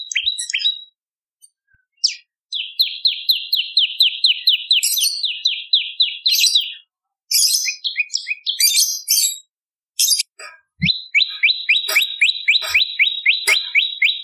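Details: Bar-winged prinia in full voice for birdsong training and luring: long rapid trains of sharp rising chips, nearly four per second, broken by brief pauses and a jumbled burst of higher twittering before a final steady run.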